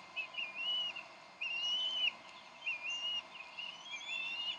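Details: Decorah Bald eagles at their nest on 30 May 2012 during a dispute between the parents over a fish; shrill, wavering whistled notes in short strings, a longer piping phrase near the middle, over steady background hiss.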